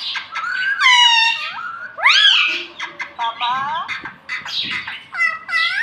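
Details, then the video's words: Pet talking parrot, said to say words such as "mitthu" and "mummy", producing a rapid string of high, harmonic, speech-like phrases with gliding, rising and falling notes and short pauses, quiet indoors. "Me tota me tota bolne wala tota - batuni sheetan tota - batuni tota"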